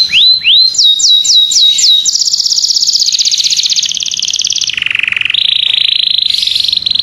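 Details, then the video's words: Domestic canary, a pet songbird, singing a lively gacor-style tutor song used to train other birds: rising whistled notes, then sharp up-and-down slurs, a long rapid high trill and a lower buzzy trill. "SUARA BURUNG KICAU KENARI GACOR/KENARI MASTERAN"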